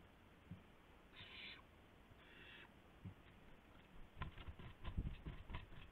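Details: Owl around a gopher delivery at 12:25 AM, April 7, 2016: two harsh hisses, then a rapid patter of scuffling and tapping as wings flap and the bird pounces.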